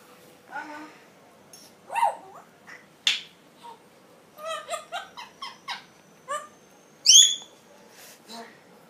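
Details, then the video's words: An African grey parrot saying "chicken rice" chatters in short, word-like bursts with clicks and a bright rising whistle near the end, against quiet indoor background noise. "African grey parrot saying chicken rice"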